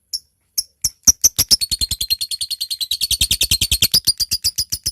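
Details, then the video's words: A lovebird in good voice calls a rival, starting with a few spaced 'ngetik' ticking notes, then breaking into a long 'ngekek' chatter of fast, high, scratchy notes repeated several times a second. "Suara LOVEBIRD GACOR, NGETIK Lanjut NGEKEK PANJANG Memanggil LAWAN"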